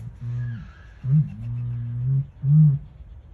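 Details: Strange low droning noise of a Southern helmeted curassow kept at Lotherton Wildlife World, recorded 23 July 2021: a steady hum, then a louder onset sliding into a long drone, ending with a strong short boom.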